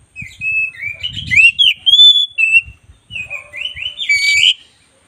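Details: Oriental magpie-robin of the black-breasted form in full song, kept for training other birds: clear fluting whistles gliding up and down, a sustained high whistle, then a quick burst of chattering notes, with faint low thuds beneath.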